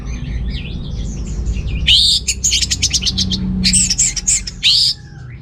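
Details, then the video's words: Orange-headed thrush singing energetically as a lure for males lacking breeding drive: soft jumbled warbling, then a loud, rapid stuttering trill of high notes and bright whistled flourishes, with low background hum. "ANIS MERAH Gacor Untuk Pancingan AM Jantan yang Kurang Birahi"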